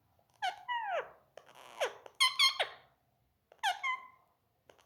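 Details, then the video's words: Indian ringneck parakeet kept as a pet, talking and calling indoors. Several loud harmonic squawks with sharp downward slides, grouped in bursts about a second apart, separated by silence. "Indian ringneck parrot voice#mithu#mummy papa bolne wala tota"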